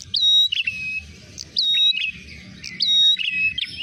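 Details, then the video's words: Ashy tailorbird trapping-lure call: loud phrases of a sharp high whistle followed by lower chirps and a level note, repeated roughly every one and a half seconds, with a quiet rumble in the background. "pikat prenjak merah suara pancingan"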